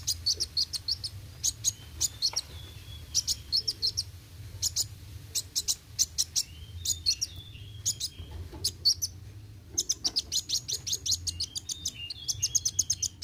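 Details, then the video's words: Singing olive-backed sunbird (kolibri wuling), roll tembak style: long series of piercing high ticks and chips delivered in rapid rattling strings, with a few thin slurred notes between bursts, low hum beneath. "Kolibri Wuling Gacor Roll tembak"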